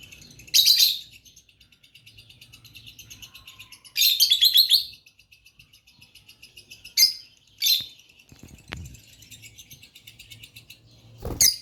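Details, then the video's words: Two pet lovebirds indoors making relaxing chirp sounds: soft continuous ticking twitter throughout, broken by several loud bursts of shrill, scratchy chattering chirps, one at the very end. "Relaxing Chirp Sounds🤗 | Lovebird sounds"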